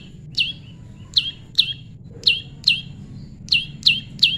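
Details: Prinia (prenjak lumut) singing for pairing: loud clipped chirps, each a sharp high note sliding down, given singly or in close pairs, eight in about four seconds, with soft low rumble beneath.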